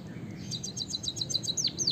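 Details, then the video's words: White-headed munia with canary-filled rolling song, played to train other birds. A quick string of thin, high repeated notes ends in two sharp falling whistles over a steady low hum. "suara burung emprit peking bondol kaji gacor isian kenari ngeroll panjang untuk masteran"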